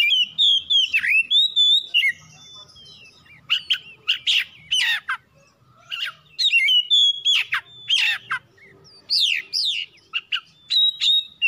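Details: Oriental magpie-robin song intended to provoke other birds to sing: whistled slurs mixed with harsh, buzzy chip bursts and rapid upswept notes in irregular phrases.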